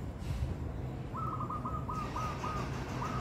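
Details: Zebra doves chasing each other. A rapid, even series of about eight short, rolling coos begins a second in, holding one mid pitch, over a constant low rumble of background noise.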